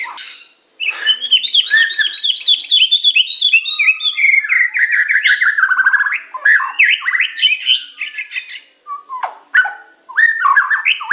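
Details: Medan-type white-rumped shama singing a tutor song of pancingan, macet, tembakan and isian styles. A long, dense torrent of fast warbled and trilled notes descends gradually, followed by separate whistled slurs and clicks.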